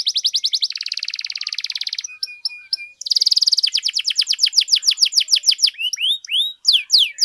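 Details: Energetic domestic canary song, long and continuous, for tutoring and prompting other canaries: a dense buzzy trill, a few level tones, another rapid roll, then slower rising and falling slurred whistles.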